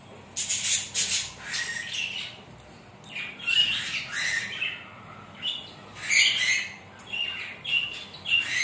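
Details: Rainbow lorikeet taking a shower and enjoying it: harsh, high squawks come in short bursts about every second, with quieter gaps between them and a soft background hiss.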